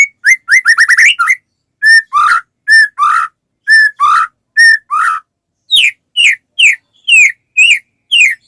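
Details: White-rumped shama singing steadily to coax other shamas into song: a fast stutter of whistled notes, then evenly spaced paired whistles and a closing series of sharply falling slurred notes.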